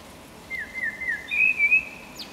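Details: Eurasian blackbird delivering a short phrase of low, flute-like whistled notes that step up in pitch, ending with a thin, high squeaky note; faint outdoor noise behind.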